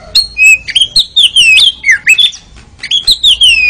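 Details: Kacer, the Oriental magpie-robin, singing for training captive birds toward 'ngeriwik' style: short clear whistled notes, several sliding downward, delivered in quick groups with a short gap midway.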